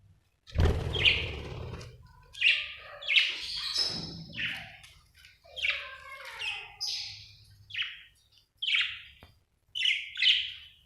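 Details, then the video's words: Happy budgie chirping, Australian bird: bursts of bright, scratchy chirps and short warbles in quick groups with brief pauses, after an opening low thump. "happy budgie chirping sound"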